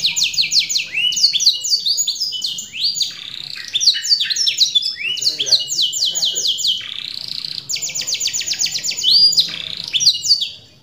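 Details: Canary giving a lure-and-therapy song: continuous, high, rapid song of repeated downslurred notes in quick bursts, broken by rolling trills and bright whistles.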